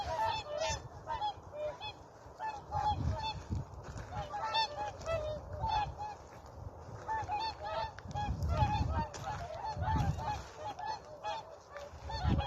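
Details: A group of whooper swans calling at dawn on a lake in Maardu, Estonia, in mid-November 2023 ahead of the first ice and snow; steady chorus of trumpeting honks, often paired, over a low rumbling background of wind.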